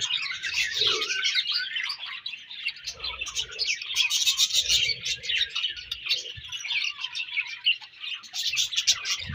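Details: Budgerigars in breeding season chatter rapidly, dense chirps and warbles repeated several times a second, with occasional lower mid-pitched calls mixed in.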